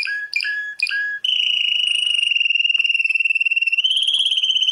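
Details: World champion canary song opening with a few clipped high notes, then breaking into a sustained, very rapid rolling trill held at one pitch, rising slightly near the end.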